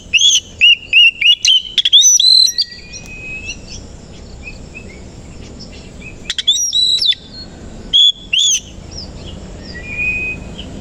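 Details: Oriental magpie-robin of the kacer koci kind singing in the morning and opening its tail; an opening flurry of loud rapid whistled notes, a quieter stretch of soft whistles, then further sharp bursts.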